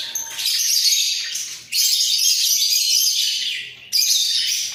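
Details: A pair of budgerigars in a breeding cage, bobbing their heads while singing: dense, chattering warble of rapid chirps and scratchy notes, in long bursts broken by brief pauses near two and four seconds.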